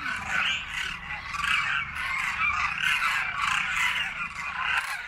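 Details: Demoiselle Cranes en masse at a winter feeding site in Khichan village, Rajasthan, circling after feeding before migrating across the Himalaya; a continuous cacophony of overlapping harsh trumpeting calls throughout, with low rumbling noise beneath.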